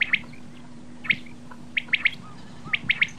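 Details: Common quail calling: short, sharp clipped notes in tight groups of two or three, with pauses between groups, over a steady low hum and faint background hiss.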